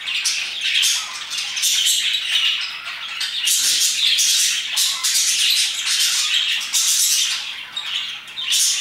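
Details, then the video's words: About 2pm, many parakeets chatter nonstop, a thick mix of shrill chirps, warbles and raspy squawks with brief dips in volume between louder bursts. "Parakeets chirping and singing their hearts out"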